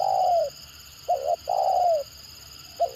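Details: Spotted dove's stuttering call, used to make other birds respond: a long descending coo, a brief double note, another long falling coo, then the next stutter starting, over a low hum.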